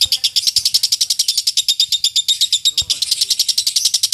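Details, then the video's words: 'Ngekek' chattering from a lovebird, meant for training contest birds: a loud, rapid, regular string of shrill clipped notes lasting the whole stretch, with a few faint low knocks. "Masteran loveBird Juara"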